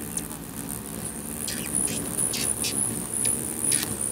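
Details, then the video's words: Hummingbirds jostle territorially at a feeder in Bigfork, Montana; high thin chirps run steadily with repeated sharp buzzy ticks, above a soft continuous hum of fluttering wings. "Hummingbird Feeder Frenzy II in Bigfork Montana Territorial fighting"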